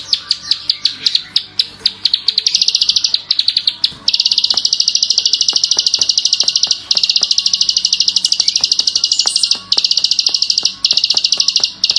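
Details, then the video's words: A klik-klik bird of Indonesia sings with vigour. Short stuttering chattered bursts give way after four seconds to a long, continuous, very fast buzzy trill, briefly broken twice, over light clicking noises. "masteran burung klik klik gacor || full tembakan ngebren"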